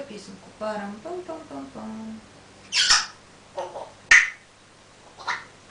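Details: A pet African grey parrot, asked to sing a song, gives a run of short, voice-like tonal notes that change pitch, then several loud, harsh squawks with pauses between them, indoors.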